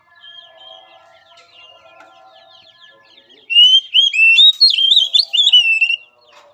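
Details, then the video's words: Song of an Oriental magpie-robin, played as therapy for a bird lacking spirit: soft twittering background, then a loud phrase of rising whistles and fast looping warbles lasting about two and a half seconds. "Latihan Suara Terapi Kacer Lemah Mental"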